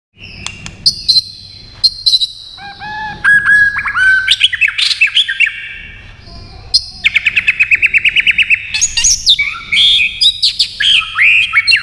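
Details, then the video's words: White-rumped shama in peak condition, singing competition-style while flicking its tail continuously: a rich, varied run of clear whistles and slurred notes, then fast rattling trills and sharp chips, over a faint low hum. "chòe lửa đạt điểm lửa hót đánh đuôi liên tục"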